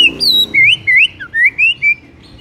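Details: White-rumped shama singing in the morning: a short flowing phrase of high clear whistles that glide up and down in smooth arcs, about six notes in quick succession.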